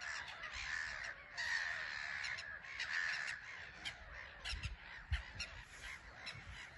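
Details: Many black-headed gulls on an island colony at Frampton Marsh, landing and taking off; steady harsh chattering calls in waves, swelling and fading, with a couple of sharp knocks near the end.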